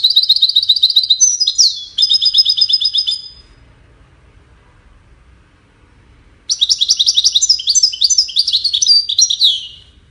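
A goldfinch sings rapid, tinkling twitters and trills, high and bright, in two bursts separated by a few seconds of quiet.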